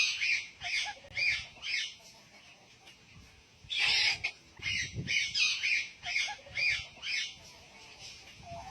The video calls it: একটি পাখি কতো রকমের আওয়াজ করে,Birds sounds